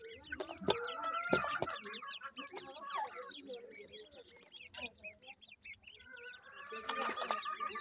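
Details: Young Grey francolins at food give busy bursts of overlapping chirps with loud clicks at the start and end and a quieter stretch between.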